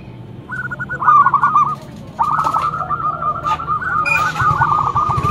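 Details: Zebra dove prized as a loud lure bird, singing a short stuttered phrase, then a longer rolling trill of quick coos, with light clicks and rustling behind.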